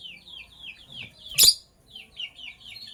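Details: In the morning, lovebirds of sky blue opaline and cobalt colouring give quick series of thin, downward-slurred chirps, broken once by a short, loud hissing burst.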